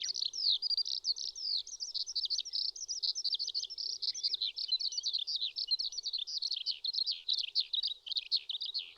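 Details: Eurasian skylark singing in May on a riverbed in the Shin'etsu region of Japan: a long, unbroken torrent of rapid chirps, trills and warbled notes, high and continuous, with no pauses and no other clear sounds.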